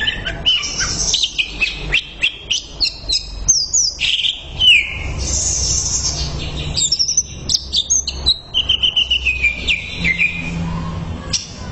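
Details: Greater green leafbird training song: rapid clicking chirps, then long varied whistled phrases and a descending slur, ending in quick repeated ticks.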